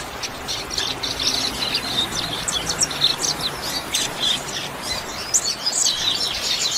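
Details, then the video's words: Double-collared seedeater performing the 'chuva' training song: a busy, high, scratchy twitter of rapid clicking notes, growing louder toward the end over low background noise. "COLEIRO CANTO CHUVA"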